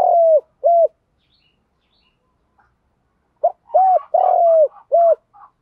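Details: Spotted dove decoy cooing, male and female calls used to lure and provoke wild doves: two low hollow coo phrases of short notes around a longer, slightly falling drawn coo, separated by about three seconds of silence.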